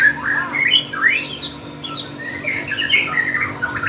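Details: Lovebird pouring out contest song, quick sweeping whistled chirps and squeaky twitters strung together without pause, lively and high, over a faint hum.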